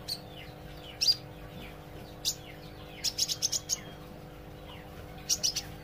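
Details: A young olive-backed sunbird practising its song and chatter: scattered single high chirps, then a fast run of five or six sharp, thin notes, a gap, and another short burst, against a steady droning hum.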